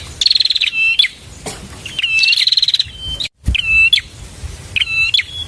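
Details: Bar-winged prinia song used as a masteran tutoring recording for songbirds: rapid buzzy trills of fast clicking notes, each ending in a drooping whistled slur and sharp upswept ticks, with a brief silent cut midway.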